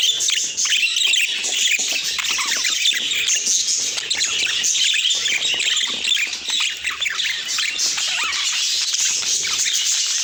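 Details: Pet budgerigars chirping: a dense, continuous wash of high, scratchy chirps and warbles from several birds at once, steady in loudness throughout.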